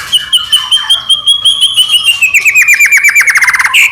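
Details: White-rumped shama singing to goad other shamas: a long high thin whistle that slowly falls, turning into an accelerating series of short downslurred notes and ending with a brief chirp.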